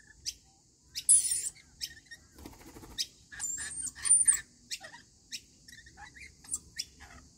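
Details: Feeding rainbow lorikeets produce a loud rasping screech, then a run of shrill squeals and short chips. A quick rattling buzz comes in the middle.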